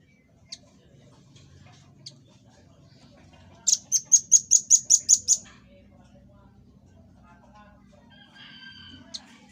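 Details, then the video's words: Rambatan paruh merah, the velvet-fronted nuthatch, in a master recording for cage birds: a few isolated high ticks, then a rapid tembakan burst of eight piercing notes, followed by faint softer whistles. "Tembakan Dan Suara Khas Burung Rambatan Paruh Merah"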